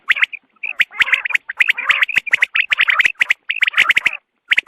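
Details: Dawn quail calls used for hunting, a dense and almost continuous run of short, bright repeated notes with sharp clicking sounds cutting through, several birds seeming to call together.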